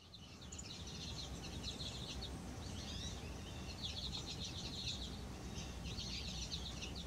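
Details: Goldfinches on a snowy day during a snow storm, January 16, 2020, give bright, tinkling twitters in quick bursts every second or two, over a steady low rumble of wind.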